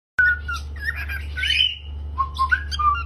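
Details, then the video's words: Pet cockatiel singing and chirping: clear whistled notes, a long sweeping whistle, then a string of short rising chirps, over a steady low hum. "COCKATEIL SINGING & Chirping Sound"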